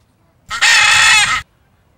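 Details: Blue-and-yellow macaw (Ara ararauna), one of a nesting pair tending its nest among trees: a single loud, harsh, raspy squawk lasting about a second, rich and grating, against quiet background.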